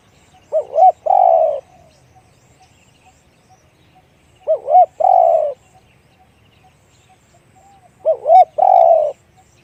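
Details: Spotted dove repeating its big-voiced one-kook coo three times, about every four seconds. Each phrase has two brief bouncing notes, then a longer sustained coo, with near silence between the phrases.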